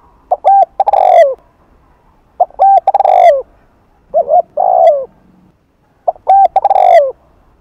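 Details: Afternoon coos of a spotted dove in the Hạp Bổi voice, with thúc and gù phrases meant to attract other doves. Four loud phrases, spaced by short pauses, each built of quick clipped notes rising into a long falling coo.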